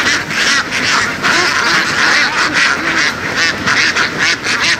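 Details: Laying ducks out on the fields of western Vietnam, a massed flock calling in choppy, throbbing waves of coarse quacks, about two per second, never pausing.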